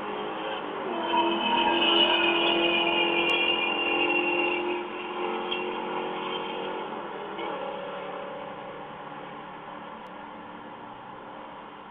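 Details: A steady engine drone with layered humming tones rises and slowly fades as a vehicle passes, and no animal sounds are heard.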